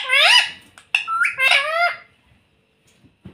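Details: Pet rose-ringed parakeet mimicking human speech, known for saying "mummy papa"; three hoarse, nasal word-like syllables within two seconds, the first and last drawn out with a sliding pitch, then a quiet room.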